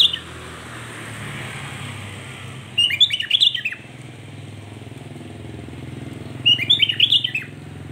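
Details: Sooty-headed bulbul singing to provoke other bulbuls: two short bursts of bubbly, chattering whistled notes, about four seconds apart, over a steady low rumble of passing motorcycles and traffic.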